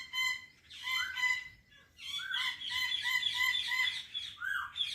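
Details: Indian parrot talking with loud, sustained, harmonic, voice-like phrases. A short pause comes near the middle, then a long run of warbling syllables follows, fading into a final rising note.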